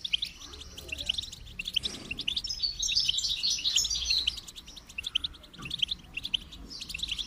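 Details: Goldfinch song: a dense, fast twittering of high, bright chirps and trills. Notes run almost nonstop, with a busier, louder stretch in the middle and softer scattered chirps near the end.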